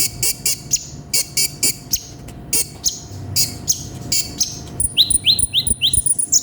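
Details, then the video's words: Konin (brown-throated sunbird) 'gacor full isian' song: grating buzzy high bursts and slurred whistles, shifting near the end to a fast series of thin upslurred chirps under a sustained very high whistle. "MASTERAN BURUNG KONIN GACOR FULL ISIAN"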